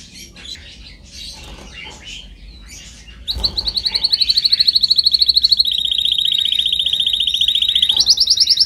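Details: Training song of a canary: soft scattered chirps at first, then a loud, fast, even trill of repeated notes held for several seconds, shifting slightly in pitch and ending on a higher rapid burst.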